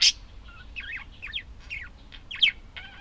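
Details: Budgie warbling, a quick series of twisting, buzzy chirped notes bracketed by two loud sharp squeaks.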